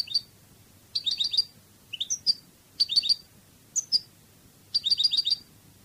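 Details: Cádiz-style Spanish goldfinch song: short bursts of tinkling, liquid notes separated by brief pauses. The bursts alternate between tight trilled clusters and single upslurred whistles.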